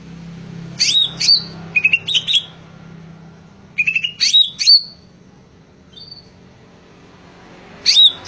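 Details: Lively singing of a greater green leafbird: clusters of sharp whistled notes and short rising trills, a soft single note mid-way and a final burst after a quiet gap, faint low hum behind.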